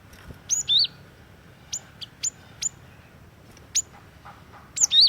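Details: Cinereous tit singing, a bird used as a lure and for tutoring others: scattered sharp high notes and short two-note whistled phrases spaced irregularly, with quiet pauses between them and a low hum beneath.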